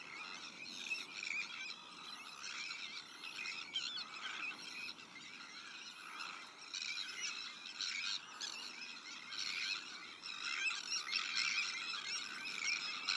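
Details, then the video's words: Breeding colony of Sandwich terns, shared with black-headed gulls, arctic terns and common terns: a dense, continuous din of harsh, grating calls overlapping without pause, swelling and easing in loudness through the clip. "Sandwich TernColony / Grote Sternkolonie"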